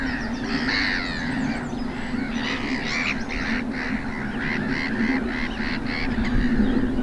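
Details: Greylag geese accompanied by young, recorded 4 May 2022 in the Cotswold Water Park, Gloucestershire. Loud, rapid bursts of nasal honking, about four calls a second, irregular and overlapping, against a low background rumble.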